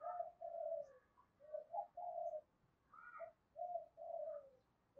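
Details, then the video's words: Spotted dove calling to attract others, two-ending "hai hậu" song style. Two runs of low, mellow coos with falling drawn-out notes, and a faint higher bird call in between. "tiếng cu gáy mồi gáy gọi hai hậu giọng chuẩn kích nhanh"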